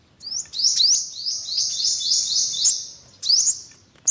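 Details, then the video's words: Olive-backed sunbird, yellow-bellied: a run of high rising slurred notes repeated quickly for about two and a half seconds, then one more short rising phrase. "tiếng chim hút mật 5 màu bụng vàng"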